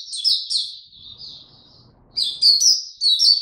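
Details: Singing Oriental white-eye, tiong aw style, 25 January 2022, after sleeping late: a few loud high chirps, a softer trailing warble, a short gap, then renewed sharp, bright downslurred notes.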